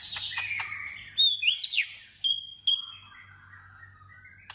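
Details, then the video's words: White-rumped shama in competitive singing and voice training: clear high whistled notes and slurred phrases, sharp short chirps, then a lower wavering warble fading out. "Choè lửa hót đấu/Choè lửa hót luyện giọng căng lửa"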